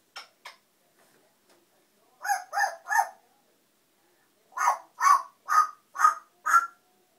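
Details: A noisy pet African grey parrot gives a few soft clicks, then three harsh, nasal calls in a row and, after a pause, five more evenly spaced, rough calls about half a second apart.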